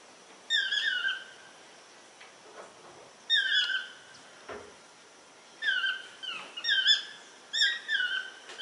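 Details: Toucan giving squeaky, nasal, slightly falling yelps in quick pairs and triplets, bursts every second or two, quiet room; a viewer suggests the calls come from two species, Ramphastos ambiguus early and Ramphastos sulfuratus later.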